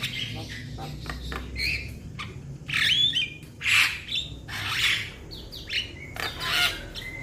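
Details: Young Javan myna calling to companions with harsh squawking rasps and scratchy bursts, a few short whistled slurs between them, loud broadband notes repeating roughly each second.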